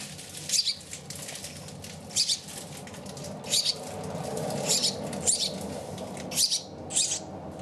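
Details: Hand-reared house sparrow, found on a street at about two to three days old and raised by people, giving short bright chirps repeated irregularly every second or so over a steady low background hum.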